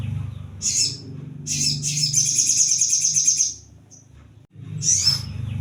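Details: Brown-throated sunbird song played as a lure for wild-caught birds. Short sharp high chips lead into a sustained rapid rattling trill, then a pause and another thin burst, with a constant low droning hum underneath.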